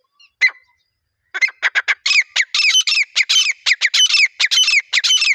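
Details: Teetar, or partridge, calling for a hunting lure: one sharp note, a brief pause, then a quickening series of loud, grating, strident notes that run together into a continuous harsh, rhythmic chatter.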